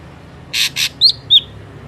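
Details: Ashy drongo in a natural recording used as a trapping lure: two short harsh rasps followed by two sharp, high, whistled notes that rise then drop, all within a second.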